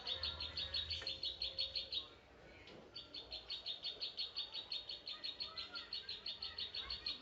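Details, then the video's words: Klik klik bird, or zitting cisticola, in a fighting song: rhythmic high clicking notes, about three each second, a brief pause with a soft thud, then the evenly spaced ticks resume steadily in a quiet setting. "burung klik klik gacor tarung"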